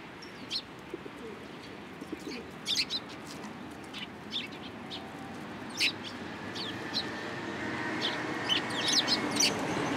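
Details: Sparrows gathering in a cherry tree at a Tenmangu shrine on 22 March 2023: a busy scatter of short, high chirps, some in quick pairs and clusters, growing denser toward the end over a steady background hum.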